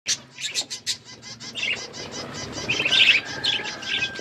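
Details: Hand-tame pet budgerigars chirping: a few sharp high clicks open, then softer warbling chatter with brief bright notes in the upper register, fairly quiet overall.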